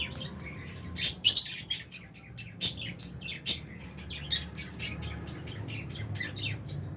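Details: Albino and Fisher's lovebirds give a flurry of shrill, high chirps in clustered bursts, strongest in the first four seconds, then softer scattered tweets over a faint low hum.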